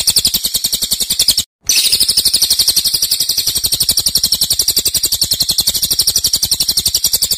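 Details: Cililin singing loud, tight, long phrases: a continuous high, buzzy, rapid-fire trill, broken by a short silent gap early on, then running on unchanged.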